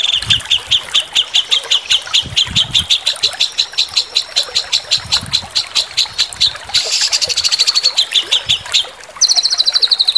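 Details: Rapid sambung susun training phrases attributed to a white-rumped shama: fast, high repeated chips in long trains, a brief harsh burst, a short pause, then a very high, buzzy rattle; faint low rumbling throughout.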